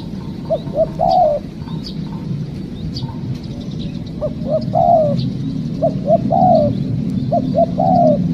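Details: Spotted dove recorded while being trapped, a wild bird calling: repeated phrases of two short clipped notes followed by a longer, drawn-out descending coo, about four phrases, over a steady low background hum.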